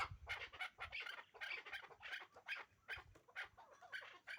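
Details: Hybrid chukar partridge pair kept for breeding: dense, raspy cackling bursts follow one another about every half second in a hoarse, chattering rhythm.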